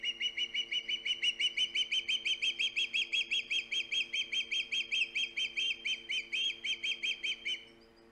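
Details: Loud osprey calling from its nest on Hog Island, 3 September 2019, filmed by a live webcam: a long run of shrill, high, slightly rising whistled chirps, about four per second, ending abruptly, over a low constant electrical hum.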